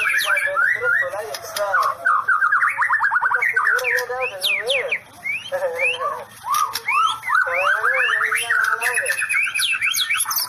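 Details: White-rumped shama in "sambaran listrik" (electric strike) song: long, loud, continuous medley of whistled upslurs and downslurs, fast stuttering trills and rattling harmonic notes, nearly unbroken for ten seconds apart from a couple of short gaps.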